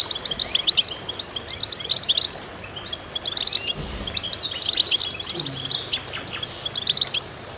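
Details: Chorus of goldfinches singing together: rapid, high, tinkling twitters and trilled phrases from several birds, with a brief low thud and a soft rustle in the second half.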